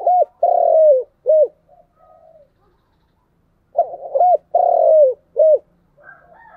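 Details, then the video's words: Cooing spotted dove in the 'chiêu' and 'thúc' style, repeating the same low three-part phrase twice about four seconds apart, each a short hoot, a long falling coo and a clipped final hoot, with faint soft notes between. "Tiếng cu gáy chiêu và thúc hay"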